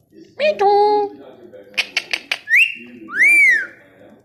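A ringneck parrot speaks a short, high, nasal word-like phrase, then gives a burst of clicks and two loud whistles, the last swooping up and down.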